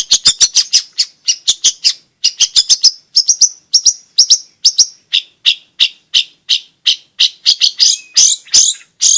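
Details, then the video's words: Long-tailed shrike in constant song, used to coax reluctant shrikes into singing and to tutor young birds. Rapid bursts of short, sharp chirps come in quick runs with brief pauses, ending in denser, buzzier notes. "BURUNG CENDET/PENTET GACOR"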